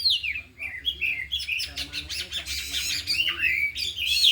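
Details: Four kept oriental magpie-robins in afternoon practice, all singing and unloading their isian fill-in phrases: dense, varied whistled and chattering song, sweeping notes rising and falling, trills and buzzy bursts, continuous throughout with a faint low hum underneath.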